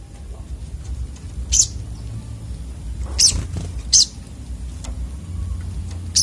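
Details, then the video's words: Piercing high chips from a sunbird, locally sogok otong, four notes spread unevenly across several seconds, against a low constant hum. "burung sogok otong terapi ngamuk"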